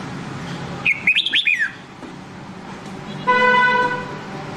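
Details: Nam Đông red-whiskered bulbul voice used for training: a single crisp phrase of quick looping whistled notes, followed after a pause by a steady buzzy tonal hum with strong overtones.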